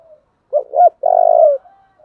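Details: A single phrase from a spotted dove in the 'thổ' style. Two quick low hoots lead into a long vibrating coo, with faint softer cooing at the start and end.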